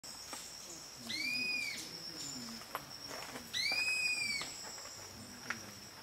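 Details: A social flycatcher at Milpe Bird Sanctuary, Ecuador, in May gives two drawn-out, arched calls, each rising then falling, about two seconds apart, over a steady high insect drone.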